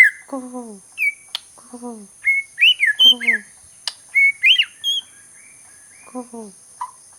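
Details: White-crowned shama from Sabah, Borneo, giving short, clear whistled notes that rise and fall. Lower, falling, buzzy notes are repeated several times between them, with brief sharp clicks and a steady high hiss in the background.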